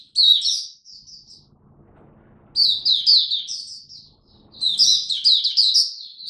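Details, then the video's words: Oriental white-eye, a hobby songbird, shown in cold rainy weather, singing in three bursts of rapid high twittering, sliding and chirpy notes about two seconds apart, with a faint low hum between bursts. "Mata Puteh Buka Sing Raja"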